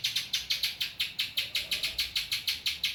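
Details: Spiderhunter song with ciblek phrasing: loud, sharp chips repeated quickly, about five per second, some slightly doubled, over a quiet background.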